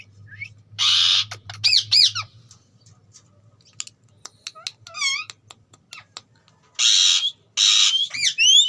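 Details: Green ringneck parakeet at home: loud raspy screeches, short arched squeaky syllables and clicks, ending with rising whistled notes.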